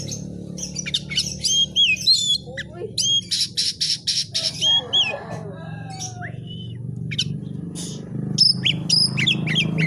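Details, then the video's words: Captive white-rumped shama singing energetically: bursts of rapid harsh notes, clear upslurred whistles and looping phrases, separated by short pauses, over a steady low hum with faint chatter near the end. "BURUNG KACER GACOR FIGTER"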